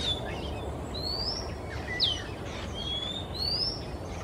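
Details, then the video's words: Male Oriental Magpie-robin, Singapore, singing through a quiet afternoon from perch to perch. Clean whistled phrases rise and fall, including one sharp downward slur, against a continuous low background hum. "Sweet singing Male MAGPIE-ROBIN, Singapore"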